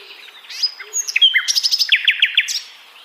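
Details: Varied song of a sikatan londo flycatcher: scattered thin whistles and chips build into a fast jumble of high clicks and sharp descending notes repeated several times, tapering off after two and a half seconds.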